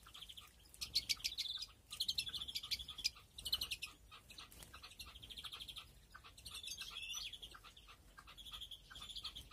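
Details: Greenfinches breeding in an aviary flight, 2021: busy high twittering with quick chirps and short rattling trills. Bursts come again and again, with quieter notes between them.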